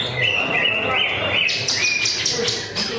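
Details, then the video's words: A greater green leafbird (cucak ijo) at a weekly Friday practice bird-song contest pours out a rapid, varied run of bright whistles and chattering notes, over a low murmur of background voices and hum. "TIKIR Cucak Ijo"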